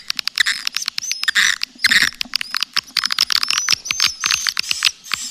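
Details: Calling sound for attracting swiftlets, the Triple 999 style: busy twittering of fast clicks and thin high chirps, with a few louder rasping bursts near the start.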